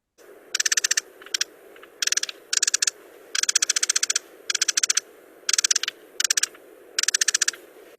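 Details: Ruby-crowned Kinglet (Regulus calendula) in winter on the Mendocino Coast gives its agitated call, dry rapid high chattering bursts of ticks, usually meaning you are in its territory and it wants you to leave; low steady hum behind.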